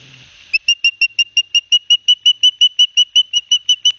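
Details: Two young ospreys at Barnegat Light, New Jersey, on 9 September 2021, fed fish by their father: a very regular series of short high whistled chirps, roughly three per second.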